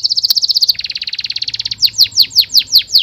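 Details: Aggressive canary song. A quick, bright pulsed trill shifts into a lower rattling trill, then into loud, spaced downslurred whistles repeated roughly every third of a second.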